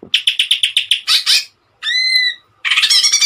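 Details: Greater green leafbird in lively song, a tutor recording for songbirds: a string of even staccato chirps, two harsher notes, a long clear upslurred whistle, then rapid twittering.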